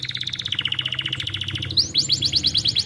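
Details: Canary tutor song meant to make a stalled canary sing. A steady pulsing trill gives way to quick rising-and-falling whistled notes, over a low background hum.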